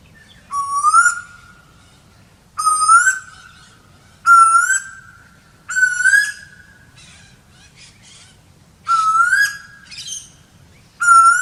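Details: A series of seven rising whistled notes from an Asian koel (Eudynamis scolopacea), repeated at somewhat irregular gaps of one and a half to three seconds, each swelling then levelling, with little background noise.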